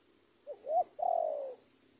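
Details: Single phrase from a spotted dove decoy calling a rival: two quick upslurred notes and a long, buzzy, descending coo in a quiet setting.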